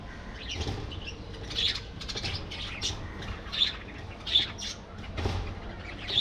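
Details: A budgerigar colony with loud, harsh squawks and sharp chirps at irregular intervals, standing out against a quieter background of chatter.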